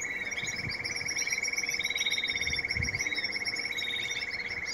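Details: Breeding-season canary with a steady, fast rolling trill held throughout, overlaid by brief higher chirps and warbled notes; faint low knocks in the background.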